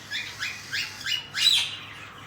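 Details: Cockatiel chicks during feeding by their parents give four short, upward-sweeping squeaky calls, spaced about a third of a second apart, ending in a louder, harsher squeal.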